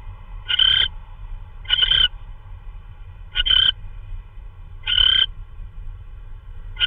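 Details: An owl on a live nest camera calling at 3:12 AM on 16 March 2013 while delivering prey. Four short, harsh, raspy bursts arrive at uneven intervals over a low steady hum.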